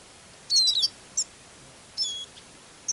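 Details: Eurasian siskin (Spinus spinus), a captive decoy bird on a songbird-catching outing near New Year in very thick fog with a north wind, sings short high twittering bursts, one with a thin descending slur, in snatches about a second apart over faint hiss.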